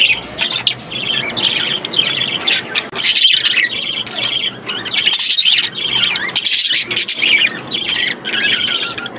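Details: Budgerigar chicks, apparently in an aviary, giving loud rasping squeals repeated in steady rhythmic bursts roughly twice a second, rough and buzzy in tone, with several young overlapping.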